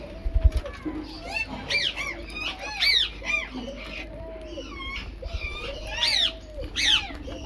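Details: Rose-ringed parakeet feeding on mixed food, giving harsh, rising-and-falling squawks in short bursts about every second, with a lower, drawn-out whistled tone recurring underneath and some low thumping noise.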